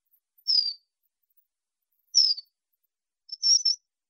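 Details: Wallcreeper calling with thin, very high whistles that slide downward, spaced about one and a half seconds apart, ending with a short cluster of three quick notes.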